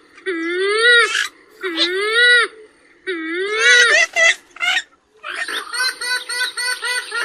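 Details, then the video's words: A purple swamphen gives loud, nasal, wailing notes that rise and fall, in three bursts about a second long, then a rapid buzzy, stuttering cackle. "কালিম পাখির সেরা ডাক / বুরি পাখির ডাক / Kalim pakir duk /Purple Gallinule bird call"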